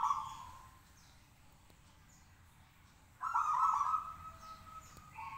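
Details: Local zebra dove singing from a cage to make others answer: rolling, vibrating coo phrases, one long burst in mid-clip between briefer ones, over low ambient hiss.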